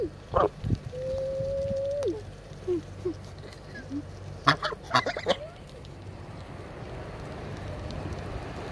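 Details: Two playful geese pecking at the camera and trying to eat clothes; a thin steady whistled tone, then a burst of short nasal honks and clicks midway, over a low constant hum.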